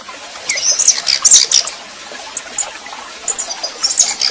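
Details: Female red-pileated finch (Tico Tico Rei) warming up and singing like a male: thin, very high-pitched chirps and twittering notes in short clusters, separated by brief pauses, over steady background hiss.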